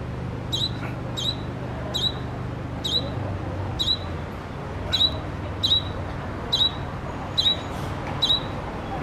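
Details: Fledgling grey-capped greenfinch hidden among leaves near a college gate in Kashiwara, Japan, calling insistently: a thin, high, slightly buzzy note repeated about every three-quarters of a second over a steady low rumble.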